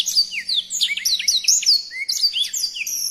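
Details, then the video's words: Songbird in full voice, rich tumbling phrases of high whistles and downward-sweeping notes with a few lower slurred whistles, fast and continuous, with a faint low hum beneath. "Masteran Burung Gacor"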